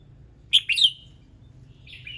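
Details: Red-whiskered bulbul in morning song, played to set other birds singing: two quick, bright chirping notes run together into a falling whistle, then a softer, wavering whistled note follows after a pause, over low steady background noise.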